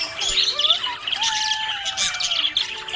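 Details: Budgie described as happy, chirping in rapid, grating warbles and squeaks throughout, with gliding musical tones in the background.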